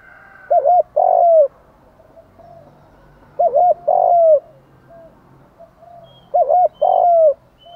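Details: Spotted dove cooing in the morning, used as a lure call to provoke other doves; three phrases about every three seconds, each a short double coo then a longer falling coo, with faint quieter coos between.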